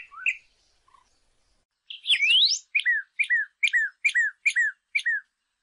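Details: A saffron finch (Sicalis flaveola) sings a few bright chips and a rising whistled sweep, then a run of seven sharp downslurred notes about twice a second.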